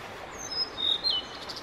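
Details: Male Blue-and-white flycatcher singing on 5 May 2022 during a roughly fifteen-minute solo performance with several bird photographers nearby: clear high whistled notes slurring downward, a sustained level whistle, then a falling twist, over faint steady background hiss.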